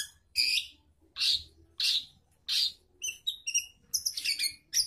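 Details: Long-tailed shrike in lively song, used as a lure to get a silent bird singing again: four loud harsh rasping notes about every 0.7 seconds, followed by sharp high whistled chips and a quick chattering flourish.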